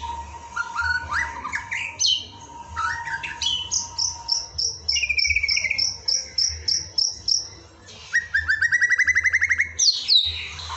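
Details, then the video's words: White-rumped shama (murai batu) song-training (masteran) recording for the evening: rich varied phrases, sliding whistles, a long run of quick high repeated notes, then rapid trilled bursts over a steady faint background tone. "Sore yang Merdu: Ajakan Masteran Murai Batu untuk Mengoptimalkan Suara saat Sore Hari"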